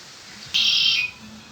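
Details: A kept pet Red-winged blackbird gives a single loud, buzzy high trill lasting about half a second, standing alone against a quiet background hiss.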